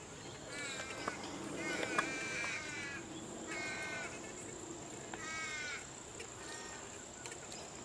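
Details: A pair of purple swamphens changing over at the nest: several quavering, wobbling squawks, softer and more ragged than before, some overlapping with clicks, over a steady background hiss.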